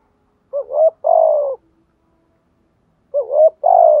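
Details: Two repeated coo phrases from a spotted dove meant to stimulate decoy birds, about two and a half seconds apart, each a quick upward note then a longer, loud, gently falling coo, with quiet between.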